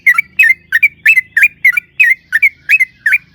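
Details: Yellow-vented bulbul singing as a lure to provoke singing in other bulbuls: nine or ten bright, bubbly, slurred notes, each dropping then rising, repeated about three times per second.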